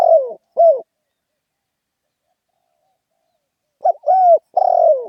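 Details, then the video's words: Spotted dove cooing in the lively 'khan yon' style. Two short, low, falling coos are followed by a long pause, then a quick burst of three coos, the last one drawn out and sliding downward. "เสียงนกเขาใหญ่ เสียงขันโยนเร้าๆ"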